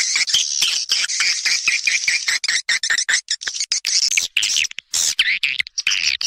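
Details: Sound for calling swiftlets in, made of overlapping buzzy, twittering chirps in a busy, nearly unbroken chatter, with a few rising and falling squeaky notes toward the end.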